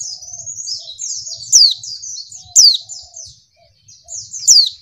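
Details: A female white-eye's high, thin twittering runs almost nonstop, broken every second or two by a sharp, bright downslurred note; the call is used to provoke males into singing.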